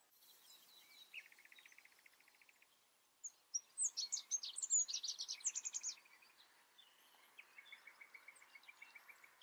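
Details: Rock bunting under observation: a dry buzzy trill of rapid repeated notes, then a bright burst of high, thin, sharply slurred notes, trailing into a softer rattling series, with faint other birds around.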